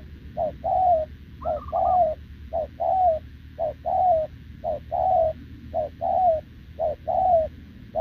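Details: Cooing of a wild-caught spotted dove kept with a decoy, recorded 6 November 2024: steady couplets of a brief low hoot and a longer sliding coo, about eight pairs, evenly spaced, one faint higher warble early on.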